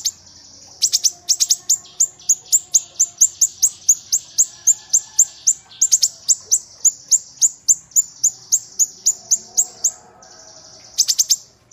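A kinoi sings a long run of sharp, very high chipping notes, about three or four a second, pausing briefly before starting again.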